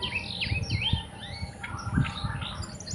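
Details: Sunda whistling thrush song: a series of whistled notes sweeping up and down in loose, varied phrases, over a steady low rumble of background noise.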